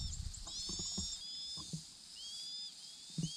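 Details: A Chinese hwamei pair raising their four chicks: thin, very high squeaky whistles, some slightly rising, repeated throughout over soft low thumps and rustling.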